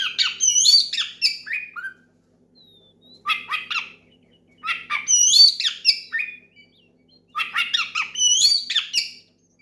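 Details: Oriental magpie-robin in loud song meant to provoke a rival and prompt others to sing; three bursts of rapid, varied chirps and squeaky whistled notes, each about two seconds long, separated by short silences.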